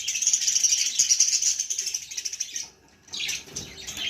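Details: Baby budgerigar in a long stream of fast, buzzy, twittering chatter for about two and a half seconds, a short silence, then a harsher descending squawk.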